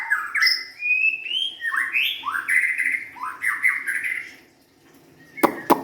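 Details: Varied song of a white-rumped shama: a fluent run of looping, slurred whistles rising and falling, then a brief pause and a harsh, sharp note at the end.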